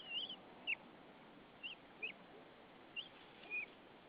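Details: At a nest in Saunja, Estonia, a female white-tailed eagle calls to her mate bringing hay on a March 2013 evening: short sharp high yelps, some bending downward, scattered every half second to a second.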